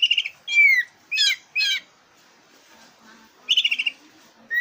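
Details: A black-breasted oriental magpie-robin, used to goad competition birds, gives a fast stuttering rattle, a clear falling whistle, then harsh buzzy notes, a pause, and another rapid rattle.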